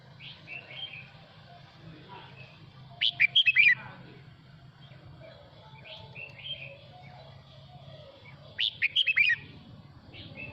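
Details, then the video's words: Male red-whiskered bulbul calling the flock with song: two loud bursts of rich, rapid warbling whistles about five seconds apart, with softer chirps between them and a low hum beneath. "Tiếng Chim Chào Mào Hót Hay Mỗi Ngày 112 Chào mào trống hót gọi đàn"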